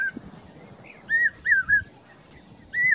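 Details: A common hawk-cuckoo, a summer migrant in Rajasthan, gives loud, shrill whistled notes that rise then fall, four in three seconds, the middle two close together, over faint low background rumble.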